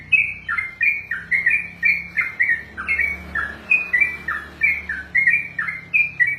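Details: Trucukan, the sooty-headed bulbul, kept and trained as a contest bird, delivering a steady 'ropel' of bright fluting notes, paired high-then-low whistles repeated roughly twice a second, with faint low room hum.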